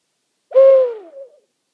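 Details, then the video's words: Owl at night in a meadow behind a house on Rattenbury Rd, answering a second owl: one steady low hoot that drops in pitch at its end, with a short soft tail. The background is silent. "Owl Calling on Rattenbury Rd"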